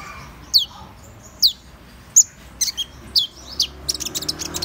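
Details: High-pitched Van Hasselt's sunbird song: spaced, sharply downslurred notes roughly once a second, then a quickening string of short ticking chips at the end.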